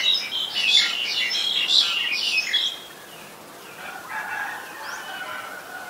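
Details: Streak-eared bulbul, a very common resident, recorded in Ubon Ratchathani, Thailand, on 4 February 2020: a burst of loud, bubbly chirped notes for about three seconds, then fainter warbling calls against background hiss.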